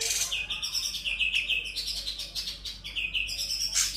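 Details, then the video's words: Sooty-headed bulbul delivering full ngebren song with konin, kapas tembak and kunti imitations: dense, scratchy warbling with flat chirps and short high whistles, sounding almost without pause. "Cucak Cungkok Full Ngebren Isian Konin Kapas Tembak Kunti"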